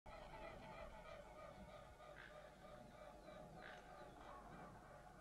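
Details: Whooper swans flying over a feeding area where ravens eat breakfast, 27 February 2012; a dense, continuous chorus of nasal, harmonic honking calls overlaps throughout, with steady low background rumble.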